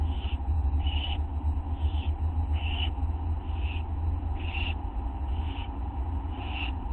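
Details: Young owl begging at 1:29 AM, August 9, when a parent drops off a tiny mouse; rasping screechy hisses repeat about every three-quarters of a second against constant low hum.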